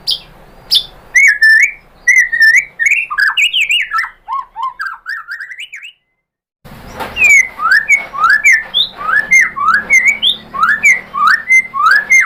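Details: White-rumped shama lure song, used to provoke another shama into answering and singing: loud, varied whistled phrases, slurred up and down, a rapid run of notes, a brief silence, then steadily repeated rising whistles.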